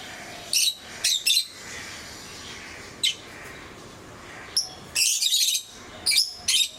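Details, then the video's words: Captive lovebirds of various colour mutations calling with short, harsh, shrill squeaks and scratchy chirps in scattered bursts, some paired, over a quiet hissy background. "Sounds of love birds"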